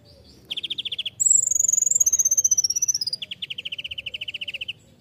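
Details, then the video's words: Kolibri ninja sunbird, a master recording for training songbirds, singing a very high, lively song: a rapid repeated buzzy trill, then a long thin whistled phrase that slowly falls, then another fast run of even repeated notes. "masteran kolibri ninja (konin) gacor full isian mewah"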